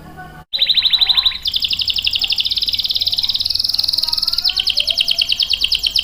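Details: Canary singing for use as a lure and tutor for young males; after a short gap a quick burst of notes leads into a long bright roll and rapid high-pitched buzzy trilling.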